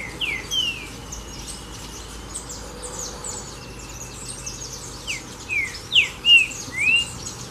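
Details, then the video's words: Green-winged saltator in "Sou Terrível" song style: after scattered faint high chirps, a phrase of four or five strong, clear whistles, each swooping downward or upward, delivered quickly one after another, with soft hiss beneath. "Terrível o Trinca Ferro de Canto Sou Terrível Top!!!"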